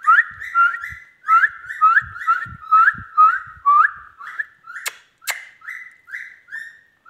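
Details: Pet Indian ringneck parrot repeats short, slightly rising whistled notes about twice a second in a steady string. Two sharp clicks sound midway.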